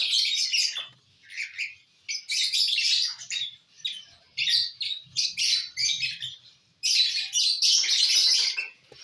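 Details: Several bursts of squawky, shrill chattering from lovebirds feeding on corn on the cob, 18 December 2022; rasping chirps run in dense clusters lasting about a second each, broken by short pauses.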